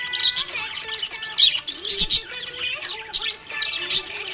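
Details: Budgerigar chirping: sharp high tweets and fast warbling chatter come in irregular bursts, with brief whistled slides and a soft musical accompaniment behind.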